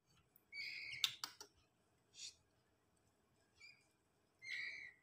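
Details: A young white-rumped shama, a fledgling from a Terah blorok line, gives harsh, buzzy, high rasping notes in short bursts one to two seconds apart, with a few sharp clicks early on.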